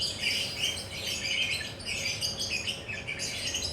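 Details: Perched, relaxed lovebird giving nonstop ngekek chatter, a dense run of shrill chirps and scratchy squawks with almost no pauses, steady in loudness throughout.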